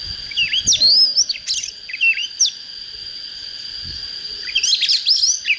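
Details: Young Oriental magpie-robin coming into breeding condition, with a good standard voice, singing varied twisting whistles and chips for two seconds, then pausing briefly before a fresh burst of jumbled high notes; soft low thumps at times.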